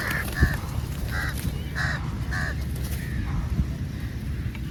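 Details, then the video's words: Crows feeding together give a series of harsh, nasal caws, about seven short calls in under five seconds, over a low rumble of background noise. "TaLking Crow - Crow sounds | Crow beautiful video feeding together"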